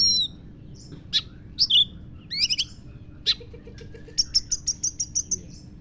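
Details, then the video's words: Kacer (oriental magpie-robin) mimicking lovebird: scattered sharp squeaky chirps and brief harsh notes, ending in an evenly spaced series of about ten high clipped chirps. "kacer isian lovebird"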